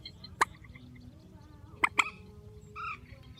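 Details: Grey-headed swamphen with one loud clipped call, a pause, then a close pair of sharp calls followed by a soft nasal drawn-out note over a low background hum.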